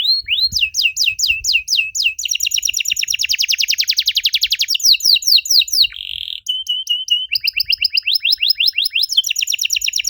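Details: Song of a canary played to prompt young canaries to reply: repeated whistled sweeps speeding into a dense rapid trill, then a buzzy note and further quick trilled phrases.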